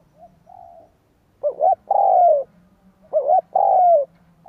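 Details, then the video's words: Spotted dove giving its full cooing song to draw in wild doves: a faint short coo, then two loud phrases of a bouncing double note and a long drawn-out descending coo, with a low hum behind. "Tiếng cu gáy kích bổi cực nhạy / CU gáy thúc gù gáy đủ bài kích bổi cực nhạy"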